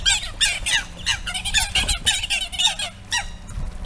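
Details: Eurasian coots battling over a pond territory taken over by a coot family with three nearly grown chicks; rapid, overlapping harsh squawks and short descending notes pour out continuously, with splashing and a low hum below.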